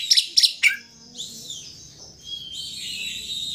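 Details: Oriental magpie-robin singing vigorously, used as a lure to provoke a rival into opening its tail: three sharp, high chirps in quick succession, then faint drawn-out whistles.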